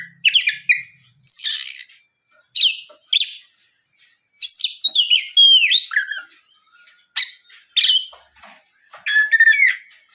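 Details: Oriental magpie-robin song used as a lure to get other magpie-robins singing and answering; loud, varied phrases of sharp whistles, rapid chirps and sweeping slurred notes in bursts separated by short pauses.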